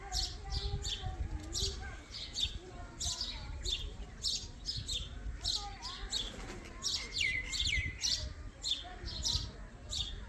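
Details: Chick of an Indian ringneck calls with a long run of quick, thin, high chirps, several a second, and a few short whistled notes midway, against constant low background noise.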